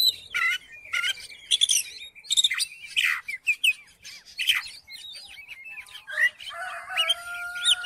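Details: Oriental magpie-robin song used to provoke another magpie-robin into singing: a rich, varied run of sharp whistled notes, slurred chirps and scratchy bursts, with a few longer steady whistles near the end.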